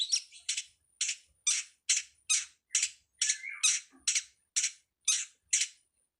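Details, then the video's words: Long-tailed Shrike master recording for songbird training: harsh, rasping squawks repeated steadily about twice a second, with one short whistled slur in the middle. "suwara masteran burung cowet/codet/pentet"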